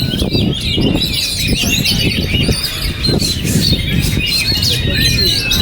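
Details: Kept oriental magpie-robin singing on through strong wind: rapid varied whistles, trills and chirps in a dense stream, with a steady low roar of wind beneath.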